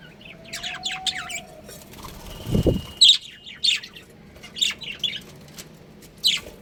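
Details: A colony of pet budgerigars chatters with quick, high, scratchy chirps in uneven clusters; a low thud or flutter sounds midway and a faint steady whistle-like tone runs early on.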